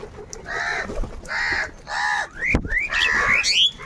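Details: Crows fighting for food utter three evenly spaced rasping caws, then rising whistled notes from another bird mix with further harsh calls.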